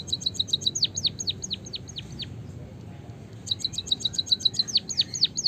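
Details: White-headed munia singing a canary-style rolling song: a fast trill of short high chirps, then a series of sharp descending whistled sweeps; after a quiet pause the trill and sweeps repeat. Low background hum.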